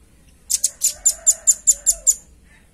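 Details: Velvet-fronted nuthatch song meant for luring and training other birds, heard as a short trill of about nine bright, high, clipped notes, evenly spaced and loud, with quiet pauses before and after.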